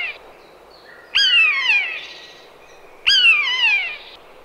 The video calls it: Odgłosy Myszołowa. Dźwięki jakie wydaje Myszołów.